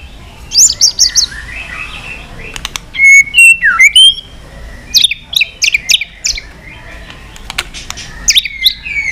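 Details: White-rumped shama giving a varied, many-voiced competition song while flicking its tail: bursts of sharp high chips, a loud falling whistle and rich warbled phrases, separated by short pauses.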